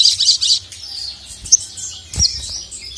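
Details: Crimson sunbird (sogok ontong) calling a male, used as tutor audio: three quick high twittering bursts, then thin scattered chirps and a short sharp note near the end.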